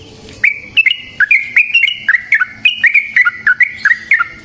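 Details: Yellow-vented bulbul singing a long, unbroken rolling song in the style called ropel panjang, used as a lure to set other bulbuls singing. Liquid, slurred bubbling notes come about three per second, loud and steady throughout.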